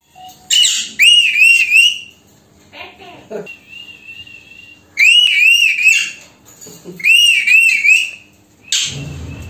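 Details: Female Alexandrine parakeet, a pet talking parrot said to speak Hindi and say "Mitthu beta", indoors: loud wavering whistled phrases with warbling pitch, in two bursts separated by a softer sustained wavy whistle, then a short noisy burst.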